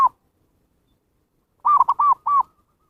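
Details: Zebra dove lure call, meant to draw in wild birds: the tail of one coo, a silent gap, then a quick stuttered pair and two rounded, arched cooing notes.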